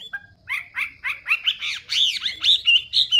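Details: Chinese hwamei song in a short burst of arched, ringing whistles that grow louder and higher. Each note is repeated about twice a second, over a faint low hum.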